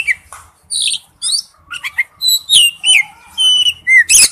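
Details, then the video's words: Male oriental magpie-robin calling to its mate: a mix of buzzy chips, quick squeaks and longer level whistles, with a harsh burst at the very end. "tiếng chích chòe than gọi mái/chích chòe than trống kêu"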